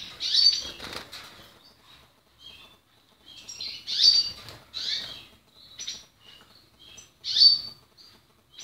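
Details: Portuguese Harlequin canary uttering bright, high chirps and brief trilled notes in separate bursts every second or two, with short silences and a faint rustle near the start.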